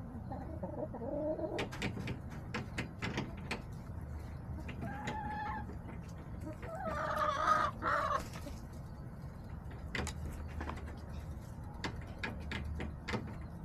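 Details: Backyard hens and a rooster on October 10, 2024: quiet intermittent clucking, then a loud, raspy crow lasting about a second. Sharp tapping clicks are scattered through the recording.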